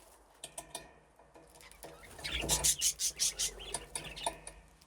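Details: Budgerigars in an aviary with nesting boxes, playing and settled in; a flock grown from two pairs. Quick bright chirps and clicks, sparse at first, then a dense run of loud rhythmic chirping in the middle before tapering off.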